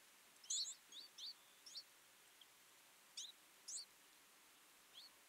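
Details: Sparse high chirps from twites feeding in a winter flock: a short cluster of twitters first, then single thin notes spaced a second or more apart.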